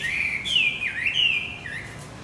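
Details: Javan white-eye song used as a lure to get a male that has stopped singing going again: a thin, high whistled phrase sliding down and rising again in short linked slurs.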